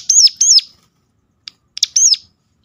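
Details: Sunda warbler calling sharply to lure other birds of its kind to sing: two high arched notes, a soft tick, then one more piercing note.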